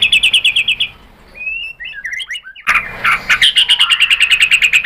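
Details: {'text': 'White-rumped shama song, used to lure other shamas into singing. A fast run of bright repeated notes gives way to a short varied twittering phrase. A loud rapid trill of sharp high notes follows.'}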